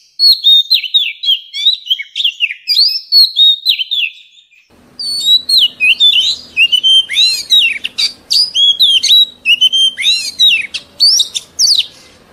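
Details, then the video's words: An old wild Oriental magpie-robin sings a rich, varied song of high, sweet whistles and quick slurred notes in rapid phrases, used to train young birds' voices; faint low hum behind. "Tiếng Chòe Than Già Rừng"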